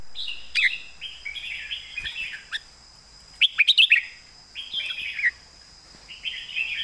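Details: Caged red-whiskered bulbul singing for competition in a full, thick-voiced master-song style. Warbled phrases frame a central volley of loud, rapid whistles. A steady high whine runs underneath throughout.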